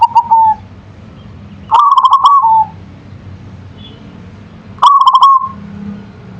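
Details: Zebra dove of local stock in song, giving three brief trilled cooing phrases a couple of seconds apart, each a rapid run of pulsed notes trailing off, with quiet low background noise.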